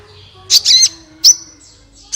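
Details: Sunbird recording used as a lure to prompt other birds to sing: sharp, high chirps in two quick bursts, a lone bright note a moment later, and a final chirp at the end, with quiet pauses between.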